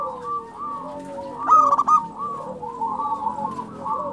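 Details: Actively singing local zebra dove: soft, looping cooing phrases broken at about one and a half seconds by a loud, quick, pulsed coo series, with low wavering coos continuing afterward.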